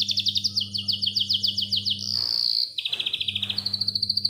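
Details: Canary giving long clear rolls, meant to prompt young or stalled canaries to sing: quick choppy repeated notes, a sustained whistle, then fast rattling rolls, with a steady low electrical hum beneath.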